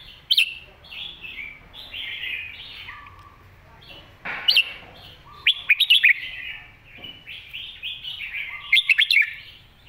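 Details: Caged red-whiskered bulbul singing a master song used to teach young birds, clear sweet warbled phrases with short pauses, broken by loud sharp chirping bursts near the start, in the middle and toward the end.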